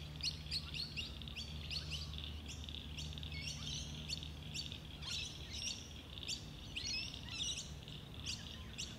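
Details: Pacific black duck ducklings follow their mother at a local wetland, giving a busy stream of thin, high peeps, several overlapping each second, over a steady low hum.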